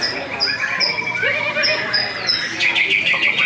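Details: Caged white-rumped shama just after moult, singing at once on the hanging pole at a bird contest where it took second place. Thin high whistles repeat about every half second, then a burst of rapid chattering notes, with voices and other birds behind.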